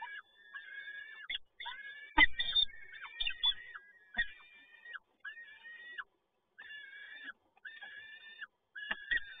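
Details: A male peregrine falcon brings another prey delivery at Toruń, Poland, 7 May 2022; many harsh, wailing calls come one after another for nearly ten seconds, with a few thumps.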